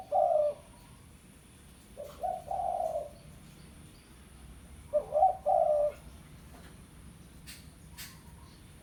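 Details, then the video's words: Spotted dove, tekukur pesom, calling a rival as a lure: three loud husky coo phrases separated by silent pauses, the last a stuttered note followed by a drawn coo, with faint distant clicks afterwards. "Tekukur Pikat Suara Memanggil Lawan"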